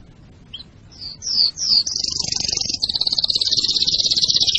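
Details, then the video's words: Canary singing to get birds ready for breeding and teach young birds: three rising-falling whistled slurs, then a sustained, very high, rapid rattling roll that continues to the end. "أفضل تغريد كناري لتجهيز الكناري للتزاوج وتعليم الفراخ"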